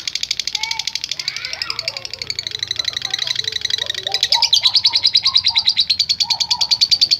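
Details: Lovebird 'ngekek panjang', a long chatter to incite other lovebirds: a continuous stream of fast, high, buzzy pulses that grows louder toward the end, over softer lower chirps and whistles from other birds.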